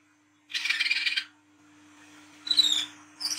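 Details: Olive-backed sunbird used to lure young birds, in lively 'ngriwik' style: a dense burst of high, harsh chattering notes, quiet, then a sharp rising squeaky phrase and another high burst, with a steady low hum behind.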